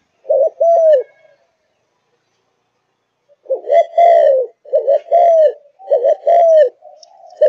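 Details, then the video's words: Malaysian-type spotted dove, a cage bird, cooing one phrase, pausing two seconds, then running three rolled coo-croo phrases back to back with falling ends and soft chirps behind. "Cu Gáy Malaysia Căng Lửa, Chơi Từ Sáng Tới Tối"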